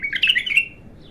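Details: A bulbul, raw and untrained, in its first burst of song: a brief, quick warbling phrase of bright chirping notes that rise and fall and fade after under a second, over a faint low hum.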